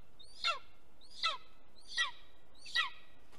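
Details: Golden eagle calling at a nest watched by webcam in Estonia, 2021. Four fainter yelps, each a quick downward-sliding harmonic note, repeat about every three-quarters of a second over a steady background hiss.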